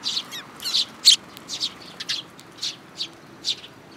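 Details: Short, bright chirps, several per second at first and then more spaced, from sparrows at a feeding spot in a plum tree at a Tenmangu shrine in Japan, 21 June 2022, with a newcomer chick present.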